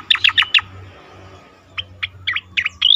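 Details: Asian pied starling song meant for training competition birds: a fast burst of four loud chirps, a short gap, then spaced sharp notes ending in a rising whistled phrase.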